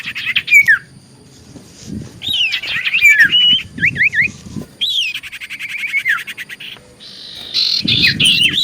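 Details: Lure song of a common iora meant to make other ioras answer: bursts of whistled slurs and buzzy rattles separated by brief silences, ending in a rising whistled phrase.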